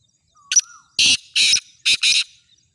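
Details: Full call of a black francolin kept for sale: a thin high whistle and short note lead into four harsh, buzzy, grating bursts in two pairs, loud and close, over a quiet background.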